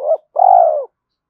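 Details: A spotted dove coos in early morning to provoke fighting and lure: a short throaty note, a brief pause, then one sustained hoarse coo that fades downward, in a quiet setting.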